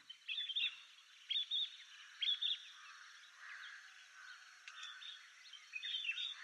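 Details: Painted bush quail, a scattered covey calling: three bursts of high, clear whistled notes spaced roughly a second apart, with a quieter whistle later, over steady background hiss.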